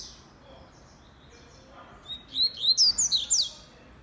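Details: Kept male-type Double-collared seedeater described as a fast singer, giving a burst of loud, high, clipped whistled notes, about seven rapid upslurred chips in quick succession, after a quiet stretch with faint background noise.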